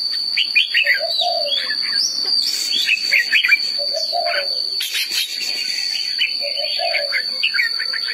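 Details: Red-whiskered bulbul delivering repeated clusters of sharp, rising whistled notes, each group paired with a soft low warble, roughly every two to three seconds. A constant high thin drone accompanies it.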